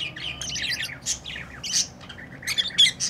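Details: Lovebird chatter: harsh, buzzy chirps and sharp squeaky notes close together, uneven in rhythm and loudness, over a low background hum.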